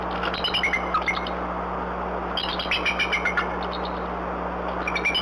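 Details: Bald Eagle mother at the Decorah N2B nest before dawn on 17 April 2020, after a night storm, gives two bursts of high piping chattered warning calls to drive off a harassing owl, over steady electrical hum.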